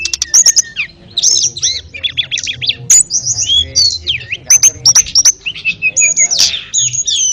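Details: Ashy tailorbird used as a master song for training canaries and magpie-robins. A busy run of high, sharp whistled notes and quick chirps, with downslurred and rising phrases following each other rapidly over more than seven seconds.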